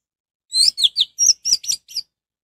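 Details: Orange-headed thrush song meant to lure other thrushes into singing: seven sharp, high chirped notes in quick succession, several sliding downward, the last one softer.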